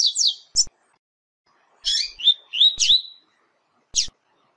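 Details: Double-collared seedeater training song for teaching young birds: short bright whistled phrases with slurred, warbling notes, broken by long silent pauses and faint clicks.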